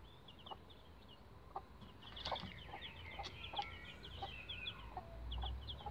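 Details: Bantam Rhode Island Red chicks at about 11 days old, using a chicken ladder: many high, thin peeps in quick overlapping runs, busiest mid-clip, over light knocking and low rumble.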